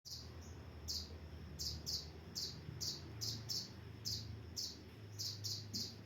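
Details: Kolibri ninja sunbird, used as a training recording for captive birds: short, high, bright chirps repeated in loose bursts, often in pairs, over a steady low hum.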